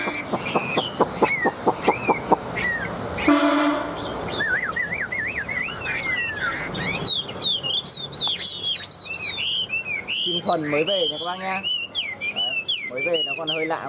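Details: Newly arrived, cage-tamed Chinese hwamei, yellow-legged and yellow-billed, opens with rapid low pulsed notes and a rasp, then pours out varied wavering whistles and sweeping slurs that grow louder toward the end.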